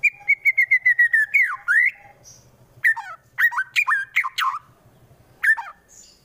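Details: Caged white-rumped shama from Wonosobo, Central Java, singing a harsh fighting song meant to provoke rival birds: a quick run of about ten repeated whistled notes, then steep sweeping whistles and sharp rising phrases with short pauses.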